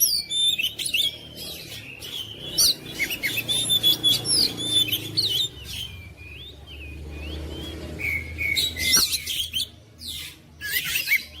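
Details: Oriental magpie-robin in a long, restless song bout: rapid chirps and whistles, scratchy bursts and slurred notes in uneven bursts, fading mid-way then picking up again, with low background rumble.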